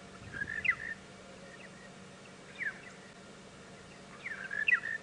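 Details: Monotonous Lark, one of many around, calling constantly on a sunrise drive around 7:30 AM, 3 April 2017, at Djuma Game Reserve: a short, bubbly, mid-pitched phrase repeated about every two seconds over a faint steady background hum.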